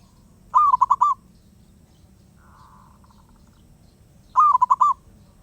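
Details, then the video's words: Two strong pulsed coo phrases from a wild zebra dove, almost four seconds apart, with a faint fluttering trill between them and a low rumbling background. "Burung perkutut Liar gak mau diam"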